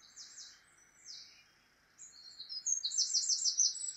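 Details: Song thrush singing high, rapid trilled phrases in a UK dawn chorus at sunrise in late spring, with notes repeated in quick bursts over a soft hiss of distant birdsong, a chiffchaff singing nearby.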